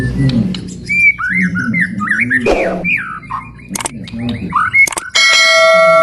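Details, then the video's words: White-rumped shama giving a long 'ngalun panjang' song meant to stir other birds and train young shamas; varied whistled phrases sliding up and down, over a low rhythmic background, ending in a loud steady electronic tone. "MURAI NGALUN PANJANG | SUARA PEMICU EMOSI BURUNG JUARA"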